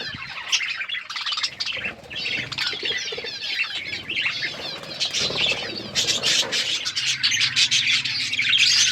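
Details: A flock of budgerigars chirping in an outdoor aviary, busy high warbled chatter with sharp squawks and bursts of wing flapping, a low hum rising near the end.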